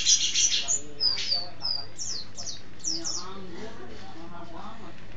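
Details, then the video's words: Mountain white-eye kept in a cage, song beginning with a loud burst of high chirps then quick descending whistled notes, fading into quieter twitters over a low background murmur. "Pleci Gacor Ngeroll"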